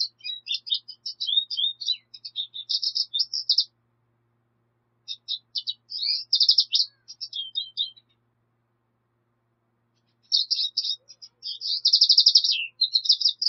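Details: Black siskin song: bursts of high, twittering, jumbled chirps and buzzy trills, each phrase lasting two to four seconds and separated by short silent pauses, with three phrases heard and no other sounds.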